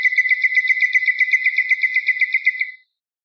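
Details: Common nightingale song phrase from a tutor tape used to teach garden bulbuls: a rapid, evenly pulsed trill of about four notes per second, holding a steady pitch with a shimmering upper overtone, then fading out. Clean, silent background.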